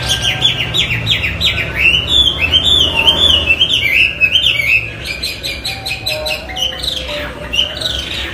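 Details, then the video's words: Loud, lively Chinese hwamei song: fast strings of rising and falling whistles repeated nearly three times a second, broken by short bursts of sharp notes, with a faint low hum underneath. "Hwamey Wambi gacor isian istimewa"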